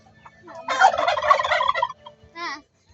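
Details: A domestic turkey on a farm with chickens gobbles, a fast, throaty, warbling rattle lasting over a second, followed by a short nasal rising-and-falling note; a low hum runs underneath.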